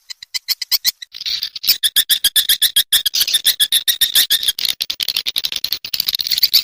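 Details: Edible-nest swiftlet call used to attract swiftlets to a nest house: rapid dry clicking ticks, several per second, merging into a rattling buzzy trill with a faint whistle.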